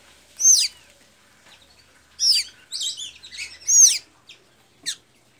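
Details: Blue-gray tanager, known locally as pipira azul or sanhaço azul, singing in Santa Inês, Maranhão, Brazil: high squeaky notes that sweep sharply downward, given in spaced bursts about every one and a half seconds, with a final brief thin note.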